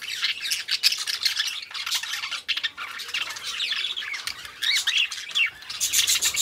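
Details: Two pet budgerigars kept as companions, chattering together: a dense, continuous stream of scratchy chirps, squeaks and short warbled notes that rise and fall in quick bursts with hardly a pause.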